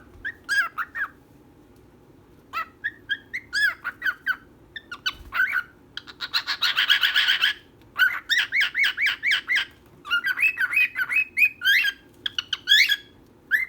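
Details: A female and male pet bird call busily with rapid whistled chirps and twittering notes. A dense burst of fast repeated chirps sits in the middle, then steady chattering phrases about twice a second until the end.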